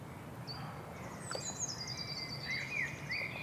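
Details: A bird sings thin high whistles and short chirps, then rising and falling warbled notes toward the end, fairly faint above a constant low hum and background noise.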